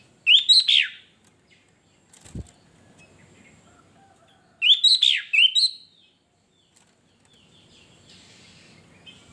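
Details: Sooty-headed bulbul (kutilang) singing gacor: two bubbly whistled phrases about four seconds apart, each a quick run of rising then falling slurred notes, with quiet gaps, a single sharp click and faint low background rumble.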